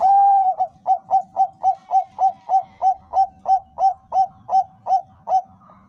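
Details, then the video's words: Zebra dove of the Bangkok perkutut type, song used as a lure to make other doves sing: a drawn-out opening coo followed by about fourteen short, even coos delivered rapidly, roughly three each second, at a steady pitch. "suara perkutut bangkok - pancingan paling ampuh untuk semua perkutut bangkok agar gacor"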